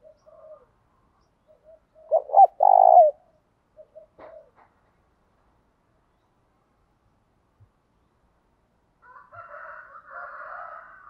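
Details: Spotted dove in the 'thổ đồng' voice, meant to stir males to answer and fight. One loud phrase of short notes and a long coo, a few soft notes after, and a faint, higher hum near the end.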